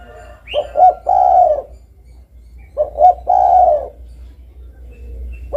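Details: Spotted dove cooing twice, each phrase a short stuttered pair of low notes and a long mellow coo, with a faint higher note from another bird near the start.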